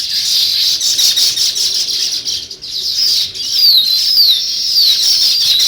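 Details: Massed chatter from a sparrow flock, described as weaver birds, with rapid high tweets throughout; after a brief dip midway, distinct downward-sliding whistled notes repeat over the busy chirping.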